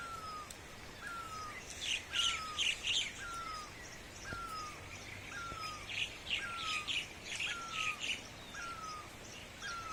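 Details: Birds chirping at sunrise near Dharamshala: a short whistled note slurring downward repeats about every 0.6 seconds, mixed with bursts of high, rapid chirps from other birds over a faint steady background hiss.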